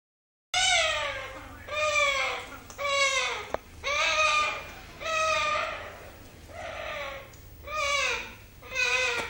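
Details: An orange-winged amazon, while eating, gives a steady run of nasal, whining notes, each rising then falling, about one every second with short gaps between.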